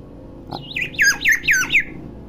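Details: Tame, clever talking common hill myna that imitates many sounds: four loud, clear, swooping harmonic notes in quick succession, each dipping and rising, with people exchanging greetings before and after.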